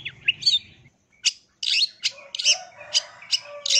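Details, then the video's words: Long-tailed shrike: a harsh squeak, a brief silence, then a rush of grating, buzzy notes packed closely together, scratchy and loud to the end. "suara cendet ini"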